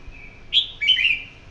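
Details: One of a pair of red-whiskered bulbuls, nearly 3 years old and moulting, giving a brief bright phrase: a thin steady whistle, then two rich warbled notes slurring downward, with a quiet background.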